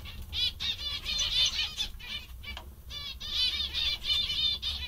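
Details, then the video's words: Several zebra finches, described as very happy and funny today, give a dense chorus of short nasal, buzzy calls. The calls come in quick overlapping bursts with brief pauses, over a low steady hum. "Mandarins bastante engraçados e contentes"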